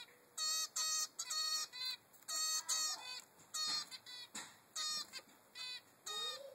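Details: Three-week-old male zebra finch chick demanding food from its mother: bursts of nasal, buzzy, harmonic-rich calls in quick runs, separated by short pauses, with a faint low whistle near the end.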